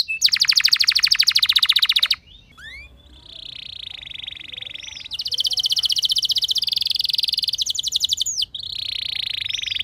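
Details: Canary singing to trigger other canaries: a loud buzzing trill, a softer hissing warble in the middle, then a long rolling trill and a steadier buzz near the end.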